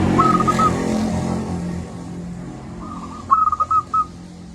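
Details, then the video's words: Local zebra dove, loud singer kept as a lure for lazy doves, gives a faint cooing phrase under steady engine noise, then a clearer run of rapid rhythmic coos as the traffic rumble fades. "Perkutut lokal gacor suara besar - Masteran Ampuh Mengatasi perkutut Malas bunyi."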